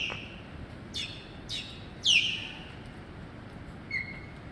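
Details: Osprey hunting fish on a rainy day in Destin, Florida, gives a few short, high, whistled chirps about half a second apart, then a sharper downslurred whistle and a faint later note, over steady rain hiss.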